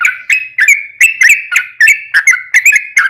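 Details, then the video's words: Sooty-headed bulbul, called trucukan, in rapid 'ropel' song intended to make other birds sing; short burst of liquid whistled phrases, each a quick rising slur, repeated in close succession. "trucukan ropel panjang buat PANCINGAN TRUCUKAN agar bunyi"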